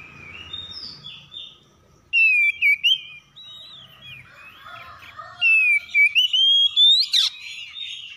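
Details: Harsh morning song of oriental magpie-robins answering one another: faint twittering at first, then two loud sequences of clipped whistled notes and slurred phrases, the second closing with a sharp upward sweep.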